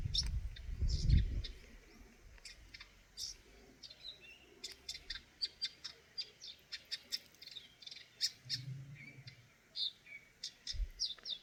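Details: Eurasian nuthatch chirping in a long, fast run of short, sharp, high notes, roughly four per second and unevenly spaced, with a brief low rumble at the start.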